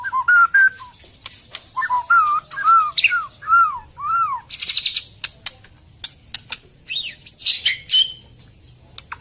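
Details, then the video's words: White-rumped shama delivering a harsh, rapid song: arched whistled notes repeated in a steady series, then a burst of buzzy rattling and high sharp squeaky phrases near the end. "KICAU MURAI BATU - TEMBAKAN KASAR"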